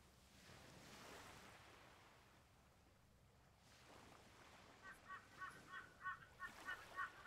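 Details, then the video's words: A White-bellied Sea Eagle, calling from far off and unseen, at coastal Wellington Point near Brisbane, Queensland, at low tide, gives a quick series of goose-like honks, about three a second, over steady wind and surf. "That bird honking away is a White-bellied Sea Eagle."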